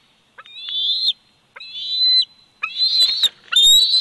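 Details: Bald eagle eaglet at 104 days, Big Bear Valley nest cam, 27 July 2019: loud, high, strained whistled calls repeated in three long bursts, the last one harsher and broken by clicks and knocks.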